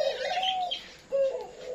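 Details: A male Japanese quail, kept with laying hens, crows at night calling for a mate: two short, clear mid-pitched phrases with a buzzy edge split by a brief pause.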